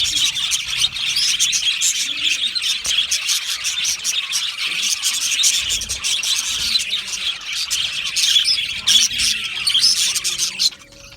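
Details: Australian budgerigar colony in an aviary, a busy chorus of high chirps, whistles and scratchy warbles from many birds, fading abruptly near the end.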